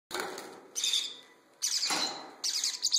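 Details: Baby parrotlets giving harsh, raspy, hissing bursts, four in about three seconds, each a noisy buzzy rush of sound with short pauses between.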